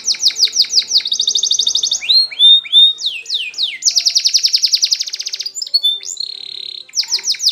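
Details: A Spanish Timbrado canary, used as a training song, sings fast and bright: rapid metallic rolls and trills alternate with quick, high downslurred notes, changing tour every second or two.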